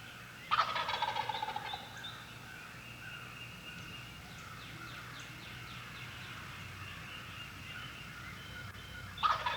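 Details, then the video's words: On a spring morning in the US Midwest, at the start of the mating season, an adult Eastern wild turkey gobbler trying to attract hens gives a loud, rapid, rattling gobble near the start and another at the end, with faint bird chirps between. "Adult gobblers are now trying to attract hens for the upcoming mating season."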